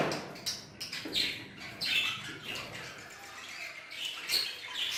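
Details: Aviary of budgerigars, Hogoromo variety among them, giving rapid high-pitched chirps and harsh squawks from many birds at once, in uneven bursts with brief quieter gaps.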